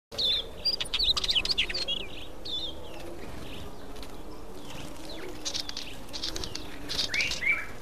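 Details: Mountain chat, also called mountain wheatear, a resident bird: a burst of quick, scratchy warbled phrases and sharp clicks over the first two seconds, fainter notes later and a brighter whistled phrase near the end, with a low steady hum beneath.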